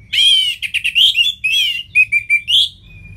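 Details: Anis merah, the orange-headed thrush, in loud ngeplong song: a rich, rolling warble opening into quick stuttered notes, then several clipped whistled notes in series and a final upslurred whistle.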